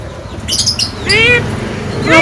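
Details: Javan myna, a very vocal bird: a short burst of high scratchy notes followed by a rising, harmonic-rich nasal call that levels off, then a further note at the end over low background rumble.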